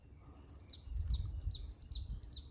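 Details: Coal tit singing from the top of a Norway spruce at 1520 m on Asahiyama, Shiga Kogen, Yamanouchi, Nagano, Japan, 29 May 2022: a fast series of high two-part notes, each dropping sharply, repeated about eight times, low rumble behind.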